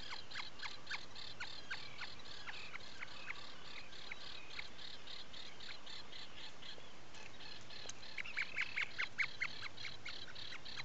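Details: Atlantic puffin inside its nesting burrow on Seal Island National Wildlife Refuge, Maine, early morning of 12 July 2018: short high peeps in an uneven series, a brief lull mid-way, then a tighter, quicker run of peeps near the end.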